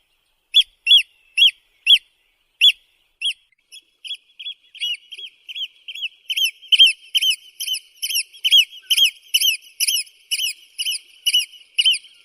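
Eurasian oystercatcher giving loud, shrill 'kleep' notes, first spaced singly, then quickening into a fast, excited piping series of about three per second.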